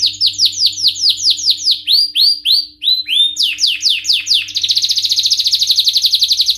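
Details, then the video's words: Male canary singing in high excitement: loud, bright repeated downslurred notes in quick series, then a fast, even trill, with a faint steady hum beneath. "تغريد روعة سيجعل ذكر الكناري في قمة الهيجان⚡لن يصمت طائرك عن الغناء بعد اليوم🔥Canary singing"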